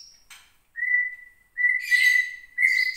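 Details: Captive female white-rumped shama of Gunung Leuser stock from Aceh, kept almost a year, starting to sing angrily after being provoked by bird contest sounds: long steady whistles separated by pauses, with a brief buzzy burst.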